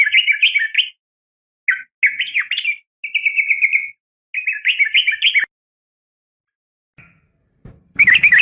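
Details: A female yellow-vented bulbul calls the male with warbled chattering phrases and a steady trill, followed by quiet and a final burst of rough noise.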